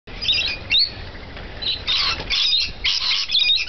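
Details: Rainbow lorikeets feeding chatter in shrill, scratchy screeches and squeaks, in rapid overlapping bursts of high-pitched sound with brief pauses between.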